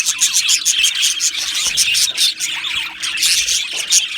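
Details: Budgerigars in an aviary colony, a dense continuous chorus of high chirps, warbles and short squawks overlapping throughout, with no pauses and no other clear sounds.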